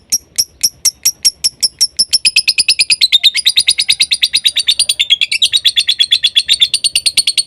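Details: Lovebird 'konslet' song for provoking other lovebirds: opens with spaced sharp ticks, then speeds into a fast, dense rattle of buzzy high chirps repeated roughly three times a second.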